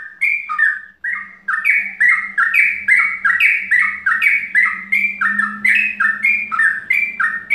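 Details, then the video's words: Yellow-vented bulbul (trucukan) song in the mbandul ropel style, meant to draw in birds of its kind: continuous bubbling sequence of bright descending two-note chirps, nearly three each second, with a low background hum. "Suara trucukan mbandul ropel"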